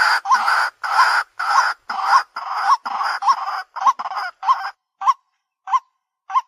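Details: Lure recording of a white-breasted waterhen: loud, rasping croaks with a sharp upward twist at each end, repeated steadily, later notes shorter and more widely spaced.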